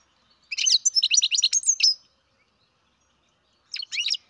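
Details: Captive-bred baby European goldfinch giving a rapid run of about ten quick, tinkling chirps, followed after a pause by a shorter burst of two or three twittering notes.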